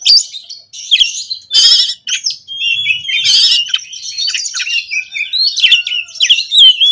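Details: Oriental magpie-robin (kacer) in lively 'konslet' style song, full of fill-in phrases: high whistled slurs and trills mixed with loud harsh rasping bursts near two and three seconds, varied notes flowing with no pause.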